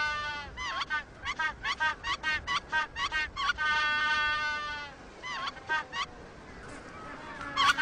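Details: Colony of penguins with males hatching eggs. A fast series of rich, harmonic pulses repeats in quick rhythm for about four seconds, followed by a shorter burst of similar pulsed notes and a quieter stretch.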